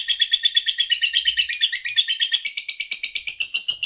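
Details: Lovebird singing: a fast, continuous chattering of high, squeaky notes, nearly three per second, steady and unbroken throughout.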